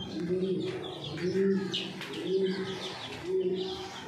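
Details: Racing homer pigeons at a large farm in Thoothukudi, Tamil Nadu: low, soft coos rising and falling about once a second, several birds overlapping, with faint chirps and background murmur.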